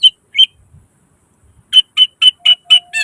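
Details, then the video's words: Greater green leafbird (cucak ijo) singing a full nembak isian song: two clear high whistles, a pause, then six evenly spaced, sharp whistled notes repeated about four per second. "Suara cucak ijo gacor full nembak isian"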